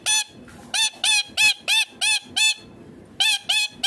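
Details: Green ringneck parrot feeding gives a fast series of harsh, strident screeches, roughly three a second, with one brief pause before the run resumes.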